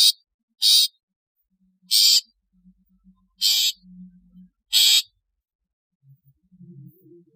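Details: Natural-style calls of a long-tailed shrike: loud, grating, hissy bursts about a third of a second long, given roughly every one and a half seconds, with faint low murmurs between.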